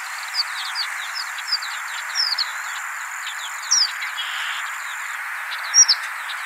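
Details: Horned Lark giving high, thin two-part calls, repeated irregularly, with several short tinkling notes over steady background hiss; compared with the similar Chestnut-collared Longspur contact call, in Arizona winter grassland.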